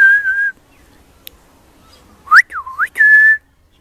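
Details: Juvenile pied butcherbird singing around Christmas: one held whistle, a pause, then a sharp upslur, a U-shaped swooping note and a long steady whistled tone.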